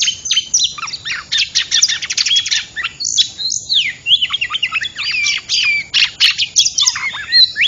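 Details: Oriental magpie-robin lure call used for trapping birds: a loud, dense run of varied high whistles, slurred notes and sharp chips that tumble over one another without pause, with rapid buzzy trills in between.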